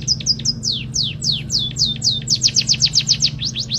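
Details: Munia filled with canary song: brief high chips give way to long downward-slurred whistles, then a fast rattling trill and more clipped notes. A low steady hum runs underneath.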